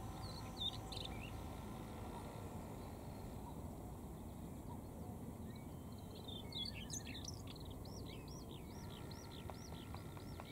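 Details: Male Siberian rubythroat singing beside a cycling road: a faint, varied warbling phrase of high squeaky whistles and sharp upslurred notes in the second half, over a steady low rumble of wind or background noise.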